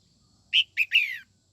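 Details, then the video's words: Morning singing by a female red-whiskered bulbul to excite males: a quick three-part phrase, two clipped chirps followed by a drawn-out descending warble, faint low rumble underneath. "Chào mào mái hót sáng kích trống bổi má trắng nhanh căng lửa"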